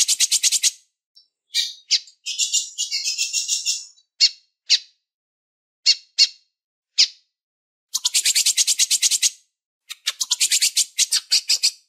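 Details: A female lined seedeater calling and soliciting mating to stir up males gives bursts of rapid, high, buzzy chattering notes, about a second each, between short single chips and brief pauses.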